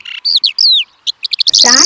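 A skylark sings a quick, high run of chirps and slurred, falling whistles before a speaking voice cuts in.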